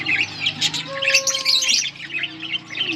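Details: Yellow budgerigar pair warbling busily, with rapid scratchy twitters and chirps; a steady thin tone runs faintly behind the birds.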